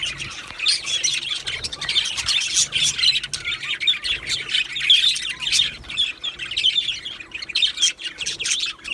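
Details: Chattering song of two male Australian budgerigars: rapid high chirps and scratchy warbles pulsing in loose bursts, with brief softer dips between.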